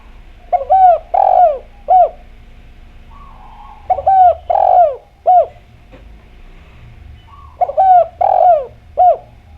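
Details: Actively singing spotted dove (derkuku) with a clear voice, played as a lure to make doves sing. Three similar phrases about four seconds apart, each a short coo, a long sliding coo and a short arched coo, all low and mellow.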